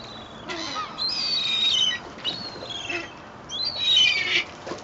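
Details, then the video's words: Seagulls squabbling over bread at Fleetwood Docks on a sunny day, 7/8/2012: loud, piercing, high mewing cries that slide downward, coming in three main bursts over low ambient noise. "Feeding the Seagulls in Fleetwood Docks"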